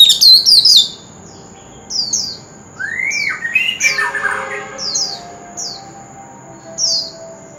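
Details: Oriental magpie-robin, singing to provoke young magpie-robins into song: a brief warbled burst, then spaced, clipped downward whistles with a lower slurred note and a harsher rasping phrase mid-clip; a constant faint high tone lies in the background.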